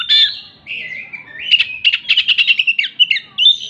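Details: An oriental magpie-robin mixes hen-like clucking imitation into its song. A harsh opening note leads to a gliding whistle, then a dense run of chattering, stuttered notes and a final bright whistle.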